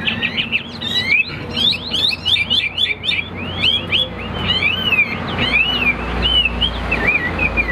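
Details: Hwamei in a cage, tested in fighting display, sings a loud fast medley of sharp chips and slurred whistles. The song ends in wavering looping notes over a low hum.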